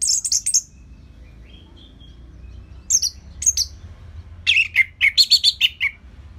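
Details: Song of a kept orange-headed thrush in Singaraja, Bali, used for training other birds: high slurred whistles, a long pause, then a fast run of chattering, rapidly repeated notes dropping in pitch at the end.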